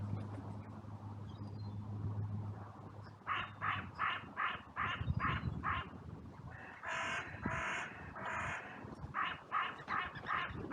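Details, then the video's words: Several crows in a cemetery on a sunny day give an outcry, rushing in from all directions after two crows fought. A fast run of short, harsh caws rises after a low hum, with overlapping rasping calls. "Crows and Crow Sounds"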